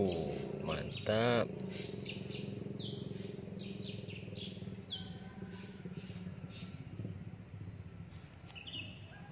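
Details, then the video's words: Drongo young in the wild with parents bringing food: repeated thin, high descending chirps, roughly one per second, after a short burst of human speech near the start, over steady low background noise. "ANAKAN SRIGUNTING MASIH DI ALAM BEBAS"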